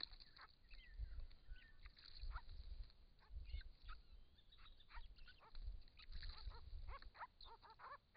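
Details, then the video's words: Wild Grey-crowned Babblers, one of a group of six visiting a pond in regional Victoria, Australia, in hot summer weather, caught on a camera trap while drinking and bathing; rapid chattering, upslurred notes overlap against low rumbling water and splashing noise. "Australian native Grey-crowned Babblers calling and bathing"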